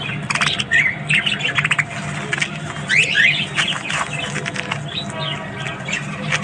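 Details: Morning chatter of Australian budgies: short sharp chirps, rapid clicking bursts and a couple of upward-sliding whistles, several birds overlapping above a low hum.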